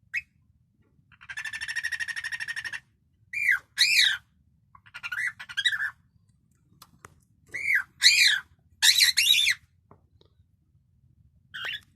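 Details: Pet cockatiel singing indoors: a buzzy, harmonic chatter lasting over a second, then clusters of short rising-and-falling whistled chirps separated by quiet gaps, ending with one soft chirp.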